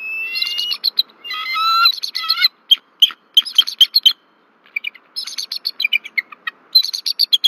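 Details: Alarm from a bald eagle pair at Berry College, Rome, Georgia, 1 February 2024, as an intruder flies over their nest: drawn-out slurred whistles give way to fast, high-pitched chattering notes in tight runs.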